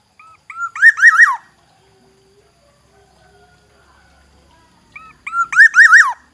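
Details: Black-naped oriole of Aceh forest delivering two matching fluty phrases about five seconds apart. Each has soft short whistles, then loud rolling looped notes. Faint low murmurs are heard in the gap.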